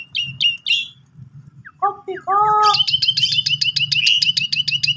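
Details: Asian pied starling song as a lure for a quiet, sulking starling: a few clipped whistles, then lower nasal harmonic calls, then a dense burst of rapid chirps, over a constant low hum.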